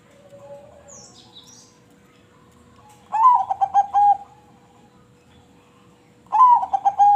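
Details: Crossbred zebra dove singing two cooing phrases about three seconds apart. Each opens with a bright rising note, then stuttering pulses that end in a drawn-out coo. Faint chirps and a steady low hum run underneath.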